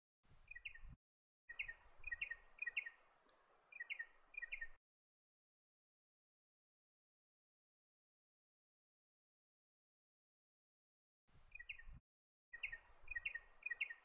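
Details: Spotted Pardalote (Pardalotus punctatus) calling: soft, high, clipped notes in quick runs of two to four, then a long silence before more, with low wind rumble underneath.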